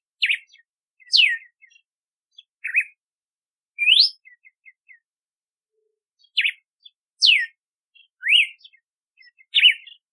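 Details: Red-cowled cardinal (galo de campina) song: loud whistled slurs, some sweeping steeply down, others climbing upward, spaced about a second apart with soft chirps between and a brief pause midway.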